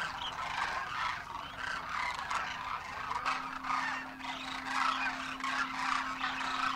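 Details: Demoiselle Cranes wintering in huge wild numbers in Rajasthan, India, trumpeting as they fly: a dense rattling, honking chorus rising and falling in waves, with a faint constant low tone behind it.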